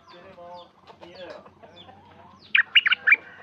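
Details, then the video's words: Sooty-headed bulbul kept at home, recorded 28 December 2019: after low murmuring and chatter, a quick burst of four bright, bubbly whistled notes rings out near the end. "Burung merbah lekir bay hoach thom gacor bahanan"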